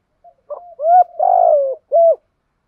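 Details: Spotted dove kept as a lure bird, cooing to provoke wild doves: a soft low note, then a few short hollow hoots and one longer, throaty, falling coo, ending on a clipped final hoot.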